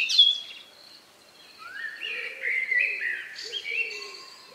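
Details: Among the last birds to sing before night in the countryside, recorded about 9 p.m. on May 2, 2020: a sharp high note, then rising whistled phrases and warbles over faint low hoots in the background.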